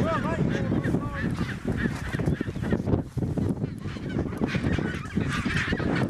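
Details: Mating chinstrap penguins in Antarctica: arched, nasal honking notes repeated in quick series at the start, then a busy mix of overlapping colony calls over steady wind noise.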